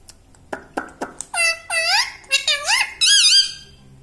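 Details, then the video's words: Indoor talking parrot that says mummy: a few soft clicks, then loud, nasal, wavering syllables rising and falling in quick succession. "Talking Parrot"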